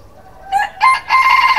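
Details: Rooster crowing in the morning: a short crow rising in steps, two brief opening notes followed by a longer, harsh, sustained final note.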